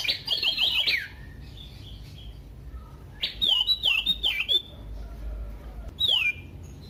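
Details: Common iora song meant to prompt other ioras to sing, loud and varied: a rapid rattled trill, a pause, then a second chattering phrase and a single slurred whistle.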